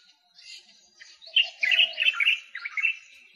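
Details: White-capped redstart giving a burst of thin, high, scratchy chirps and warbled notes, rapid and irregular, with a softer lower note mixed in.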